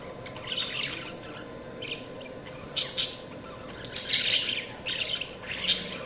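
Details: Chirping budgies with scattered scratchy warbles and a few sharp squawking bursts spaced unevenly, growing busier toward the end over a quiet constant hum.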